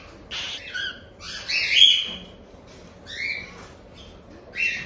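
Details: Cockatiel chicks about one month old, captive-bred in Tokachi, Hokkaido, Japan, making harsh raspy begging calls: short noisy squawks with rising and falling bands, in bursts separated by brief pauses.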